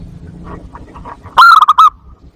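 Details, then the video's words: A zebra dove calls as a lure and breeding stimulus, giving one quick burst of about five bright, clipped cooing notes after soft murmuring background sounds. "PIKAT PERKUTUT ‼️ Suara Jernih Ampuh Buat Pikat & Masteran Perkutut Untuk Merangsang Birahi"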